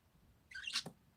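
A parakeet gives one quick, scratchy high chirp that drops sharply at the end, against a quiet indoor background.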